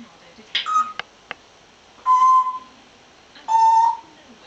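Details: African Grey parrot chatting with its owner indoors, recorded in 2009: a few faint clicks, then two clear, steady whistled notes near the same pitch, each held about half a second and spaced over a second apart.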